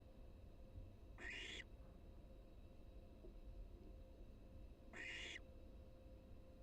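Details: Wild barn owl at its nest around its first fledging: two harsh, breathy hissing screeches, each lasting about a third of a second and spaced about four seconds apart, over a steady low hum.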